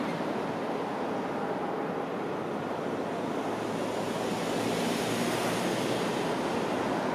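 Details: Steady roar of waves breaking with wind buffeting the microphone throughout, and no animal calls.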